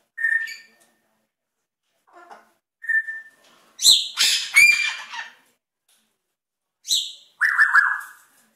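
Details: Pet African grey parrot performing sound-effect mimicry: short pure whistles near the same pitch, then a run of harsh, crackling, noisy bursts, and a final buzzy whistled note with a scratchy edge.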